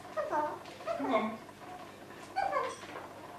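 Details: Female red eclectus parrot indoors talking in imitation of human speech, with a male green eclectus looking on; a few short, voice-like phrases in quick bursts with pauses between them.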